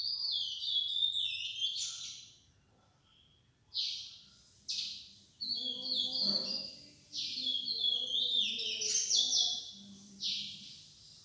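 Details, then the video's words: Chestnut-bellied seed finch (curió) song heard as a young bird listens to an adult tutor: bright, rapid warbled and whistled phrases in short bursts separated by brief pauses, over a faint low murmur. "Curió Filhote escutando o Professor"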